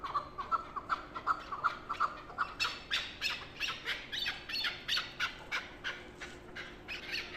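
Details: Chukar partridge kept as a hunting partridge, giving a harsh clucking call repeated about three times per second in an uneven rhythm, the notes bursting louder and sharper midway, over a low steady hum.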